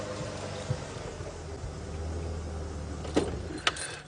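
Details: Idling vehicle engine rumbles under jangling keys and a couple of sharp knocks, with no animal sounds.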